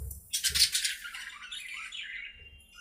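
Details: In their aviary, playing budgerigars give a sharp rasping squawk followed by a long wavering, buzzy warble that drifts up and down, with faint low thumps.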